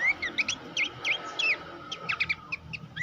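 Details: Horsfield's babbler singing, used as a master recording for training songbirds: clear, sharp V-shaped whistled chirps repeated in uneven clusters, bright and high, over quiet background.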